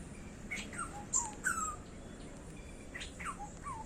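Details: Black-hooded oriole giving faint, fluty whistled notes that slur downward, in short scattered phrases over a steady background hiss.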